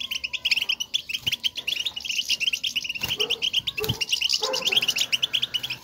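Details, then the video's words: Goldfinches twittering to one another to signal presence: continuous fast high chirping and metallic notes, with a few soft low knocks and a brief lower buzzy sound toward the end. "بتبتة وستستة, لمساعدة الحسون على التغريد"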